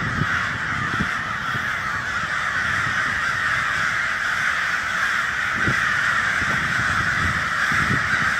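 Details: Vast flock of crows keeps up a constant harsh cawing roar, overlapping calls blurring together, with a few brief low knocks.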